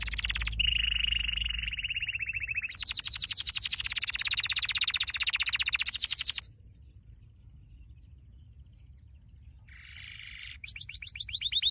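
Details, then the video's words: Training song for a canary: six seconds of loud continuous rolled trills and rattling tours, a sudden silence, then a short buzzy burst and a renewed fast trill, over a low steady hum. "Your canary will NEVER STOP SINGING With this training song"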